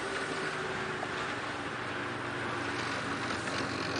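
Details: An early-morning safari drive is heard only as a steady engine drone and rushing wind, ending in a short sharp knock, with no animal sound.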